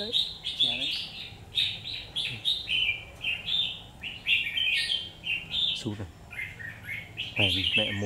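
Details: Red-whiskered bulbul singing in a fight, a trapped bird, pours out rapid repeated chirpy phrases of bright warbled notes almost without pause, with a few low rattling sounds and faint voices mixed in.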